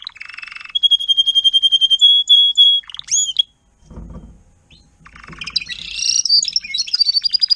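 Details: Adult Timbrado canary teaching youngsters to sing: a low rattle, then a long steady whistled tone, rising slurs, a brief low noise gap, and a busy high trill.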